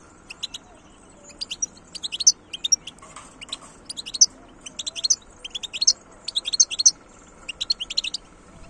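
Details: Wild European goldfinch, recorded in 2022, singing in short bright bursts of rapid twittering, high tinkling notes grouped into phrases roughly every half second to second, over a faint steady background hum.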